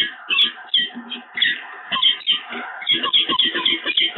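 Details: Peregrine falcon pair bonding at the nest at Evoluon, 7 March 2022: harsh, grating calls tumble in uneven bursts, with sharp chipped notes cutting through the rasping stream.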